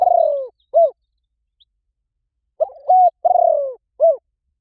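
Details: Spotted dove cooing as a lure call so wild doves reply. The clip opens mid-phrase on a falling vibrating coo and short end note, then one full low phrase follows: a light note, a level coo, a long dropping coo and a final hoot.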